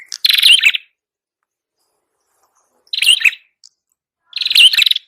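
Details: Bird-luring recording of a prinia known locally as prenjak kepala merah: three short buzzy chattering bursts with a bright rising note inside each, spaced about two seconds apart, with silence between.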